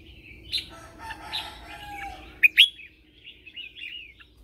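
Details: Red-whiskered bulbul used as a lure in morning song training: muffled warbles at first, then two loud sharp chirps, followed by softer rolling whistled phrases.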